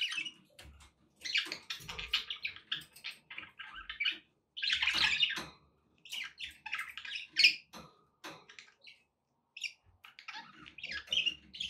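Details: Pet budgerigars chattering in irregular bursts of scratchy chirps and squeaks, with a loud warbled stretch near the middle. Faint low thumps and splashy background noise sound underneath.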